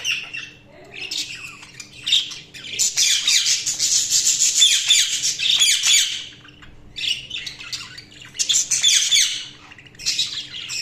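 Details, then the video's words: Budgies chirping in long stretches of dense, high scratchy warbling and squawks, several birds at once, broken by brief quieter gaps, over a faint steady hum. "Budgies Sounds| Budgies Chirping sound"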